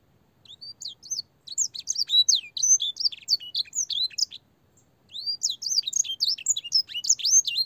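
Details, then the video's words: Clear-voiced canary training song with blackthroat and singer phrases for young canaries: bursts of quick high twitters and whistled slurs, separated by short silent gaps. "burung kenari gacor panjang full isian blackthroat dan sanger suara jernih masteran kenari paud"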